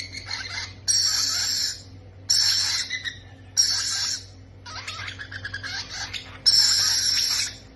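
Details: Parrot babies calling for food, five long hoarse hissing bursts, the middle one broken into a stuttering chatter, separated by pauses of about a second.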